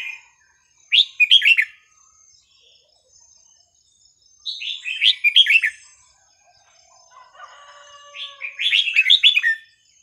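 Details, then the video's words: Red-whiskered bulbul singing in a fine style of non-repeating phrases, played to tutor young birds: three bright warbled phrases about every four seconds, each a fast cluster of rising and falling whistles, otherwise quiet. "นกกรงหัวจุกสำนวนเพราะๆ ร้อง เพลงไม่ซ้ำกัน เปิดสอนลูกนก"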